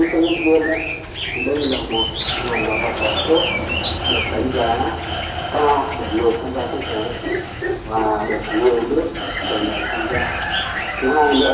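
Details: Compilation of several old wild female Chinese hwamei calling in forest to lure males in the breeding season: quick, varied whistled phrases twisting up and down, over a steady high insect whine and some lower voice-like sounds.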